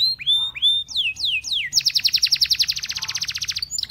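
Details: Belgian canary singing to encourage other canaries to sing: a few rising then falling whistled slurs, followed by a long loud rapid trill repeated many times per second.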